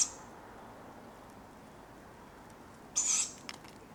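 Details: Tawny Owl owlets calling for food at dawn in Padarn Park woodland in July, captured on a Zoom F3 drop rig: one hoarse, hissing screech lasting about a third of a second, a brief faint hiss at the start, otherwise quiet woodland background.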